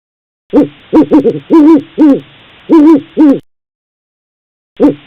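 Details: Owl hooting in a run of short, mellow, low hoots, some doubled or quavering, about seven in three seconds, then a pause and one more hoot; clean recording with no other sounds.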